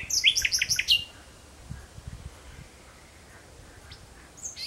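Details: Sunset song of a common nightingale in June 2017: a fast run of loud, repeated sharp notes during the first second, then quiet with faint distant high calls near the end.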